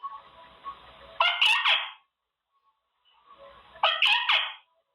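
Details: Male Quaker parrot in his cage gives two brief, harsh, harmonic vocal bursts about three seconds apart, over a soft hissing background.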